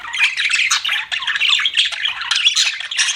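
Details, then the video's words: Cute pet budgies in busy, unbroken chirping, a scratchy warble of rapid squeaks and twittering notes overlapping throughout. "CUTE PET BUDGIES CHIRPING"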